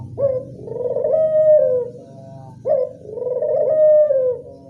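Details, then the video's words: Local Barbary dove call used as a lure to attract doves: two long rolling coos, each opening with a sharp rising note and then a buzzy, trilled tone that slides gently down, about two seconds apart, over a low murmur. "Pancingan burung puter lokal"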